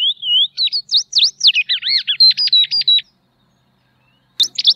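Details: Tropeiro seedeater, a threatened grassland seedeater: high, fast song of looping whistles, sharp V-shaped chirps and rapid buzzy notes for three seconds, then a pause before a brief renewed burst.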